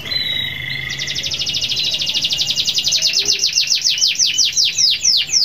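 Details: Canary singing long rolls to call rivals, used as a lure recording: a brief steady whistle, then a rapid, even trill of sharp notes from about one second on that gradually slows into distinct downward-slurred chips.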